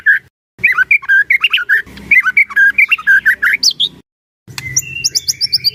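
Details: Loud, varied white-rumped shama song, played to prompt other shamas to sing: rich whistled and warbled phrases shifting in pitch, a short silence, then a series of higher, thin, repeated notes.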